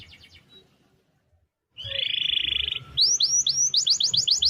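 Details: Energetic canary song used as a tutor for training other birds: a short pause, then a loud, dense, rapid buzzing roll for about a second, followed by quick repeated sweeping whistles.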